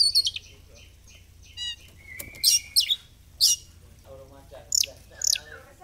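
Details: Oriental magpie-robin song meant to prompt tail fanning: high squeaky chips, a brief trill and a flat whistled note, followed by sharp separated calls over a low hum.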